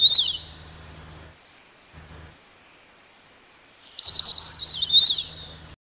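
Crested Bunting giving two bursts of high, thin chirping notes about three seconds apart, each lasting just over a second, over a faint low hum.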